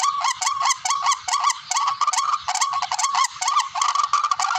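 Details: Lure call of the barred rail, known locally as tikling: strings of harsh, nasal honks in quick succession, around two to three per second, loud and steady.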